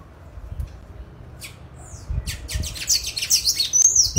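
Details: A free-living sayaca tanager in the wild sings a quick run of high, squeaky, slurred notes that grows busier toward the end, with faint low rumbling beneath.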